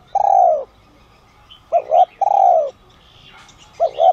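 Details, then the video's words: A spotted dove of the 'son' voice type calls to attract wild doves. A long, descending, mellow coo ends one phrase, then comes a full double-coo-and-croon phrase and the start of another. Light chirping from other birds sounds in between. "Chim Cu Gáy GIỌNG SON kích bổi| | tiếng cu gáy gáy gọi , thúc kích mồi, gọi bổi đến"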